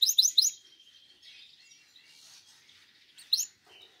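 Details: Canary song fragment: a few quick high chirps, then a soft, thin warbling passage and another brief bright burst of high notes near the end, quiet between.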